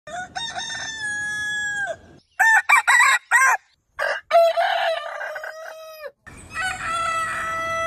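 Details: Rooster crowing from a compilation of many breeds: a long harmonic cock-a-doodle-doo held level, then abrupt cuts to several short clipped crow fragments, ending in another sustained crow with a steady noisy background.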